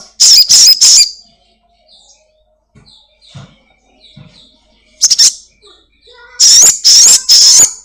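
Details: Crimson sunbird kept at home, known locally as sogon, singing energetically as a lure recording for other kept birds: clustered shrill, grating high bursts at the start and end, with near-silence and faint soft ticks between.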